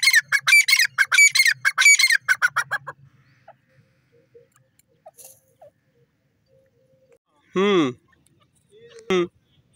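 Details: Grey francolin, locally teetar, calling: a fast run of loud, harsh, ringing notes for about three seconds, then near silence broken by a strong grating burst and one shorter note near the end.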